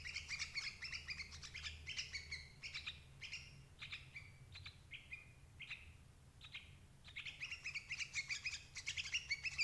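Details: Sooty-headed bulbul calls played to lure and trap adult birds: busy bursts of bright chirps with stacked overtones, a quieter patch of single slurred notes midway, then lively chatter again.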